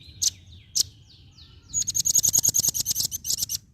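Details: A female velvet-fronted nuthatch gives two loud single chips, then a dense rattle of piercing high notes, about ten per second, lasting two seconds. Faint, downslurred whistles from other birds come through underneath.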